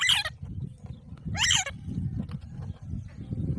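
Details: Alexandrine parakeet letting out two loud, rasping squawks about a second apart against a heavy low rumble of background noise.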